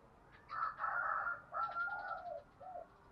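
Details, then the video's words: Tame decoy spotted dove giving a lure call meant to draw and provoke other doves, low hoarse coos in two phrases over a steady background hiss, the second phrase ending in drawn-out falling notes. "Chim cu gáy cu gáy kích bổi, tiếng cu gáy mồi thuần gáy gọi và thúc căng lửa"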